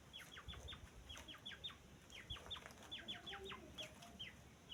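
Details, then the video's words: High, thin, descending whistles from grey francolin (teetar) chicks. The calls come in steady overlapping runs that suggest several young calling together, over faint background noise. "तीतर का बच्चा आवाज़"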